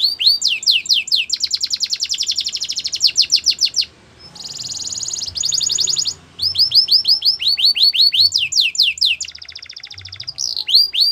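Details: Belgian canary song made of long rapid rattling trills broken by a short quiet gap, then repeated downward whistled sweeps and further fast rolls.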